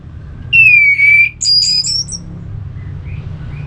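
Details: Orange-headed thrush singing ngeplong, played to get a listless thrush answering: a long falling pure whistle, a second held tone, then a higher sustained whistle, followed by faint distant notes.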